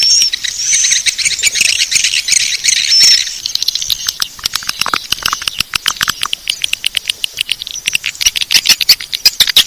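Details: Swiftlet lure call played to attract swiftlets: dense, buzzy twittering chatter with high thin whistles early on, giving way to rapid, sharp clicking pulses that run in irregular bursts through the rest of the recording.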